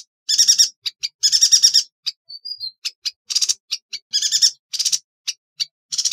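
A yuhina gives bursts of sharp, buzzy, high chattering notes in quick rattling runs, broken by short pauses and a few thin whistles.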